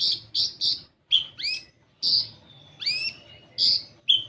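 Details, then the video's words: Lure recording of olive-backed sunbird song meant to make young birds sing: three buzzy high notes, a pause, then sweeping falling whistles and a longer thin note, with soft background hum. "Pancingan Kolibri Ninja Bahan Agar Bunyi"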